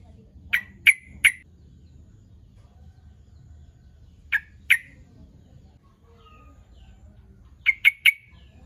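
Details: Sooty-headed bulbul lure call meant to draw rival birds: sharp clipped 'cruk cuk cuk' notes in groups of three, then two, then three again, with brief silent gaps and steady low background noise.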